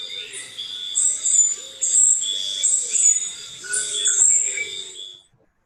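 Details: Puerto Rican Spindalis in the San Juan Bay Estuary, Puerto Rico, giving its very high-pitched, thin, hissing call notes in quick uneven bursts for about five seconds, with a faint low murmur beneath.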